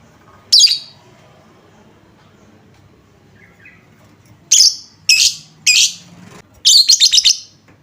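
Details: Lure sound (pancingan) to get lovebirds singing: one shrill rasping chirp, a long pause, then four grating bursts in quick succession, the last a rapid stuttering chatter, over faint hum.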